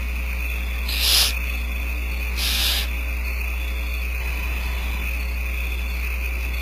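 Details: Barn owl owlets, about four in a nest being fed by the female at Starr Ranch, give two harsh, hissing screeches about a second and a half apart, over a steady low hum and a thin high whine.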